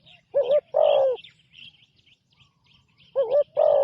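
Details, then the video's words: A spotted dove used as a ground decoy on its first training outing calls with paired coos, a short note followed by a longer, falling one. The pair repeats after nearly three seconds, with soft bird twitters in between. "นกเขาใหญ่ต่อดิน ฝึกนกใหม่ออกฝึกครั้งแรกพอได้ยินเสียง"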